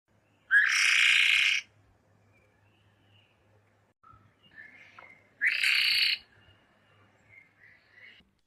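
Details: Wayanad laughingthrush alarm call, a warning given before a flock of five to twenty-five birds flies off one by one into shrubbery; two loud, harsh, raspy bursts about five seconds apart, with faint softer calls between.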